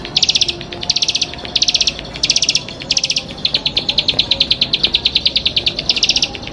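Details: Champion Bar-winged prinia in full song: clipped high bursts of rapid notes, then a longer even run of quick ticks, before the burst pattern returns.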